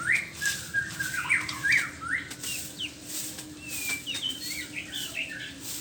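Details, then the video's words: White-rumped shama in the morning, giving quick clusters of bright, looping whistled notes with brief pauses between phrases, some softer notes trailing off, against a faint background hum. "ocehan burung murai batu di pagi hari"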